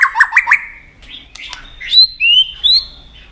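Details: Fighting song of a White-rumped shama, tail-flicking to provoke a rival: a quick chattering burst of notes, then clear, high whistles sliding upward and held steady.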